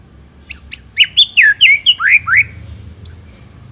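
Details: White-rumped shama song used as playback to lure shamas into answering and singing steadily: a quick burst of about ten slurred, falling whistles and sharp notes, then one clear high whistle after a short gap.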